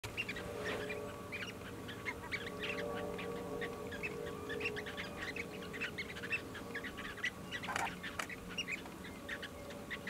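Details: A flock of Short-billed Dowitchers in Canada keeps up a busy chatter of short, mellow notes, several per second, over a steady low hum.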